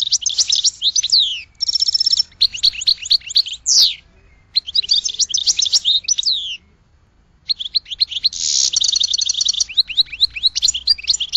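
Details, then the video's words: Goldfinch singing a rapid, high twittering song of tinkling and buzzy notes in dense bursts, pausing briefly near four and seven seconds, with a harsher buzzy trill near the end; no other sounds. "Goldfinch Song to Educate Newcomers to Their Call"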